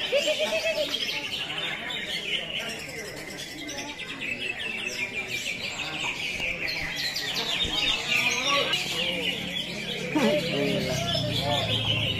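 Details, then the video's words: Greater green leafbird (cucak hijau) singing a fast, dense run of chattering, twittering notes in the 'tembakan kapas tembak' style, with steady background rustle and a low rumble near the end. "CUCAK HIJAU SPESIALL MEWAHH#CUAK HIJAU TEMBAKAN KAPAS TEMBAK"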